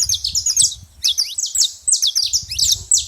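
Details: Noisy saffron finches at a bait feeding spot give rapid, piercing, falling tweets in tight clusters, almost without pause across the whole stretch.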